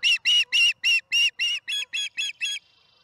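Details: Osprey at a nest camera as a fish is brought to the nest, afternoon of 26 April 2019: ten loud, harmonic whistled chirps, about four per second, each short and sharp, slightly weakening toward the end before the series stops.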